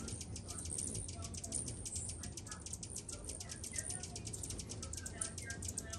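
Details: Thousands of hummingbirds feeding at a kitchen window give a dense stream of high, thin, rapid chips, overlapping without a break, over a low steady hum that is probably wingbeats.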